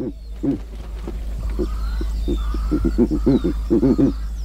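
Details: Giant eagle-owl in Kruger National Park giving deep, pulsed grunting notes, singly at first and then in quick double and triple bursts. Faint thin bird chirps sound high in the background.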